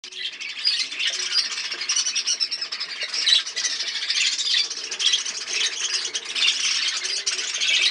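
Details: Breeding budgerigars kept as parrots, a dense, continuous chatter of many scratchy, warbling high chirps overlapping without pause.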